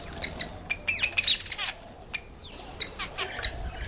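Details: Cape weaver (Ploceus capensis) gives harsh, scratchy chattering notes in quick bursts, with a pause midway before more buzzy, sizzling chatter.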